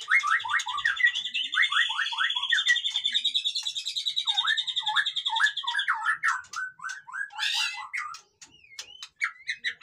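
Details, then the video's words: Busy white-rumped shama song used to rouse captive birds that are slow to sing: fast repeated chattering notes under a sustained high whistle, then a burst of harsh rasping notes and scattered chirps. "suara burung murai batu ribut cocok untuk dongkrak emosi burung yang malas bunyi"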